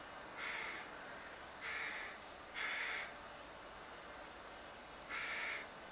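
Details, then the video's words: Four hoarse, nasal begging calls from a young crow perched in a cherry tree by a window, irregularly spaced with a longer pause before the last. "Begging Crow"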